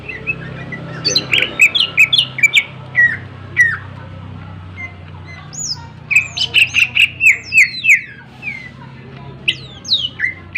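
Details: Greater green leafbird pouring out sharp, varied song, suited as a lure to make other birds sing and get excited: chirps, downslurred whistles and rapid repeated notes in bursts over a low hum.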